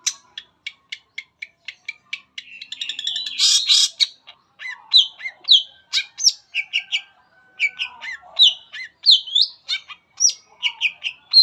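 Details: Long-tailed shrike giving full-material lure song to set other shrikes singing: a steady series of ticks builds into a loud buzzy burst, followed by varied chirps, slurred whistles and chatter.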